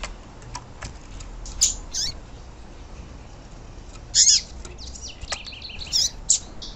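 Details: Female yellow-bellied seedeater calling, a recording used to excite captive males into song: thin, high chirps in short scattered bursts with some quick twittering notes between them, over faint background hiss.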